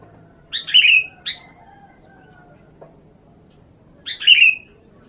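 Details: Lure Sooty-headed bulbul being sunned repeats its phrase twice: a couple of buzzy chirps leading into a warbled, falling whistle, with several seconds of quiet and a low steady hum between.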